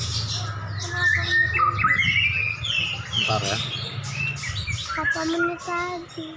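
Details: Two caged prize white-rumped shamas dueling, described as worked up and raging; busy mix of whistles, rising slurs and chattering notes, with a man speaking briefly and a low hum in the background.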